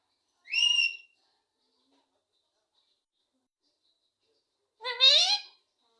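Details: Ringneck parrot (rose-ringed parakeet) saying names: two short, loud, harmonic speech-like utterances about four seconds apart, the second longer and rising then falling, in an otherwise quiet room.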